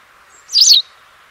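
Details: White wagtail, Motacilla alba, giving one brief high twittering chirp lasting about a third of a second, with a steady faint background hiss.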